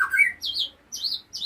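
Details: A young White-rumped Shama, chosen by its owner as the largest of its siblings and a promising future competitor for its harsh voice, gives three short, harsh squawky notes about half a second apart, the first lower, the next two higher and rasping.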